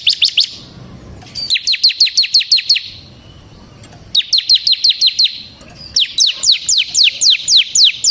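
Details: Bar-winged prinia, ciblek semi, in continuous ngebren singing. Separate bursts of quick, piercing, downslurred chirps, each burst about a second long, are split by short quiet gaps; the last burst is longer and slightly slower.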